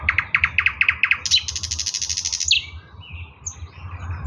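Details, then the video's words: Eastern nightingale in song, 16 May 2024: fast repeated knocking notes, then a dense high rattling trill that stops abruptly, followed by quiet thin whistles. "bulbul ovi vostochniy Nightingale singing Russian соловей восточный"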